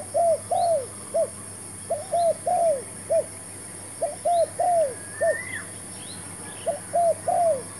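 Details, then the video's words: Spotted dove brought as a new decoy in a trapping attempt, calling repeated phrases of mellow, low cooing notes, long notes bending downward between short ones. A brief higher slurred whistle from another bird and a high insect drone accompany it. "MEMIKAT TERKUKUR.BAWA BURUNG BARU (BB) DAN CUBA JEBAK BARU"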